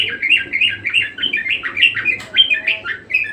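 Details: Budgerigar singing persistently, a continuous chattering warble of quick rising and falling chirps repeated about three times a second, with a low steady hum underneath.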